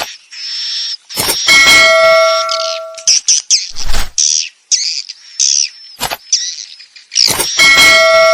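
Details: Swiftlet roosting call meant to attract swiftlets to a nesting building: bursts of buzzy chirps and twitters mixed with sustained pure whistled tones, with sharp clicks between phrases and short silent gaps.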